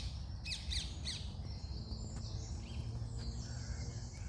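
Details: Birds in the morning: three bright, quick upslurred chirps in a row at the start, followed by fainter thin whistles and distant calls over a steady low-pitched rumble.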